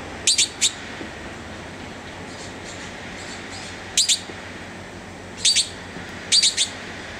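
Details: Red-billed blue magpie, 19 November 2009, perched unusually close: repeated clusters of two or three shrill, high-pitched squeaky notes in four bursts, with faint distant chirps and low hiss between them.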